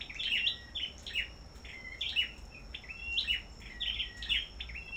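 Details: Black-throated bushtits at a bird farm in competitive duel singing: bursts of thin, high chirps and short sliding whistles repeated roughly every second, with a steady high-pitched whine throughout.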